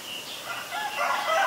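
An Asian barred owlet gives a mid-pitched, bubbling, slightly hoarse call that swells steadily louder over about a second and a half.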